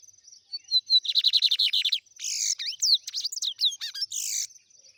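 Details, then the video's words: Trem bala song of a lined seedeater: soft introductory whistles lead into a rapid trill of buzzy descending notes, followed by a varied run of sharp sweeping, rising and falling whistles and harsh bursts. "BIGODINHO TREM BALA. ADMIRE ESSA LINDA AVE E SEU CANTO BELÍSSIMO"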